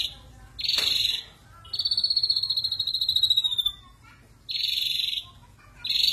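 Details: Ashy drongo singing in the rough 'tembakan kasar' style: a thin bar of high notes, then a long buzzy pulsed trill gently falling in pitch for about two seconds, followed by two more short high bursts separated by quiet pauses.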